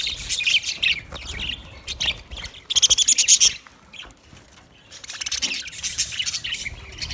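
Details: Budgerigars in an aviary warble in a dense, chattering chorus of high, scratchy chirps and buzzy trills, with a bright burst of rapid notes midway and continuous flock chatter throughout.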